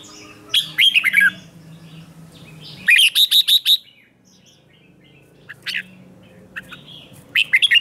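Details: Red-whiskered bulbul kept for morning song training, in a fighting-style singing session: a descending warbled phrase, then a fast run of four loud clear whistled notes, a quiet gap, and another brief whistled burst.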